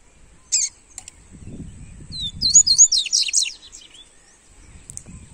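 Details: Coleiro, a double-collared seedeater, warming up its song: one sharp high chip, then a rapid run of high, buzzy, slurred twitters lasting about a second, over a low rumbling background.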